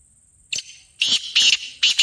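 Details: Black francolin call, used for luring and for starting a kept bird calling: four loud rasping, reverberant bursts in a clipped rhythm after half a second of quiet hiss.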